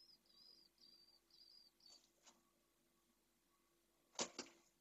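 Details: Pallid swift chick in a nest in Jerez de la Frontera, Spain, 2022, restless and calling nonstop as a cockroach approaches: four or five thin, high, slightly wavering calls in quick succession, then soft clicks and two loud knocks.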